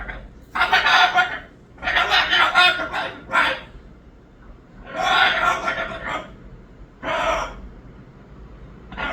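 A Moluccan cockatoo gives loud, harsh, raspy squawks in bursts of about a second, some in quick doubled runs, with short quiet gaps between them.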